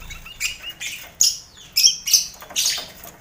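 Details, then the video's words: Caged lovebird colony mixed with finches and quail, recorded as training noise for competition birds; sharp, squeaky high chirps in quick separate bursts about every half second, some with thin whistled tones. "Sound Koloni Lovebird"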